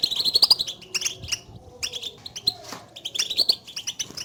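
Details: Goldfinch calling to prompt a silent caged goldfinch to sing: fast, loud twittering at the start, then scattered bright high chirps and short trilled bursts.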